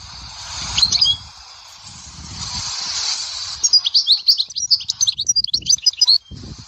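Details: European goldfinch singing at Dahwara sector, Souk Ahras: hissing background noise first, then a quick run of high, liquid twittering notes in the second half, with low rumbles underneath.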